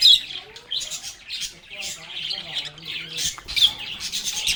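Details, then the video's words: Lovebirds singing, playing and talking together: dense, overlapping high chirps and squawky chatter without pause, with a few faint lower tonal sweeps underneath. "Lovebirds agapornis sounds | Relaxing Sounds of Singing, Playing, and Talking Parakeets"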